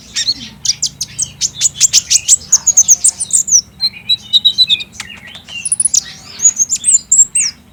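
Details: Olive-backed sunbird song played to make a kept bird respond, recorded on a Samsung J5 phone. Dense bursts of very high, piercing chirps and short trills follow each other quickly, with brief whistled notes between them.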